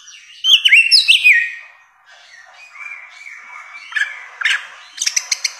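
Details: Bare-throated whistler (samyong) song from a long mastering recording: a loud burst of twisting whistled notes, then a quieter, drawn-out whistle, ending in rapid bright chips.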